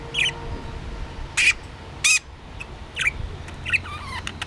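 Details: Pet budgerigar playing with a homemade toy indoors gives five or six short, harsh chirps and squawks at irregular intervals, some sharp and buzzy, some rising, over a faint low hum.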